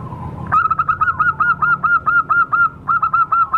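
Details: Wild local zebra dove lure call: a sustained string of loud, evenly spaced pulsed coos, roughly five per second, after a brief soft lead-in.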